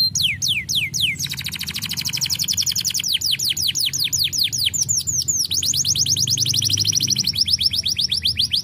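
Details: Canary song opening with several falling whistles, then long, rolling high trills of rapid notes shifting in pitch and texture throughout.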